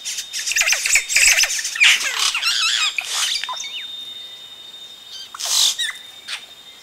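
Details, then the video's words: Yellow-rumped cacique chicks call at the nest as adults arrive, recorded close up: a burst of harsh squawks and thin, wavering whistles, loud for three seconds, then sparse notes and a final rasp. "Yellow-Rumped Cacique. CU Calls From Chicks As Adults Arrive At Nest."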